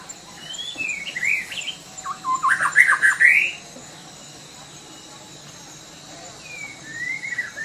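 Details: Energetic song of a white-rumped shama from Sumatra: a flurry of whistled sweeps and fast chattering notes for three seconds, then a pause over a constant high drone before another rising whistle.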